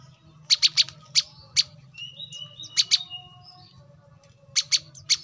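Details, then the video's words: Kolibri kelapa, the brown-throated sunbird, giving sparse sharp high chips in small clusters, with a few softer thin notes between and a low background hum. "kolibri kelapa | manggar | wiceh | korlap gacor"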